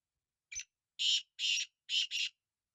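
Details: Loud grating call of a black francolin, known locally as kala teetar: a quick introductory note, then four harsh buzzy syllables, the final pair run together. No other sounds.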